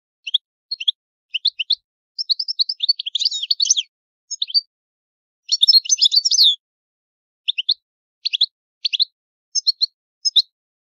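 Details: Italian goldfinch in its old song style, giving scattered bright chirps and pairs of notes between denser bursts of rapid, jangling twitter, heard against silence.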